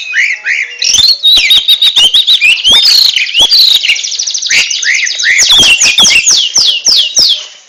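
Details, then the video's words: Oriental magpie-robin (kacer) delivering ngentrok song: a rapid, dense stream of chopped whistled notes and buzzy trills, ending in a series of repeated downslurred whistles about twice a second. "RAJA NGENTROK!!! Kacer super kicau"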